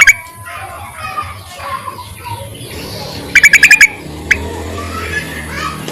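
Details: Yellow-vented bulbul calling males, a sound used for luring: one tight burst of six rapid, bright notes midway, with softer scattered chirps and a steady low rumble around it.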